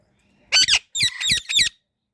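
An Indian ringneck parakeet gives a harsh, squeaky burst followed by three quick, rasping chirps, all high-pitched and over within about a second.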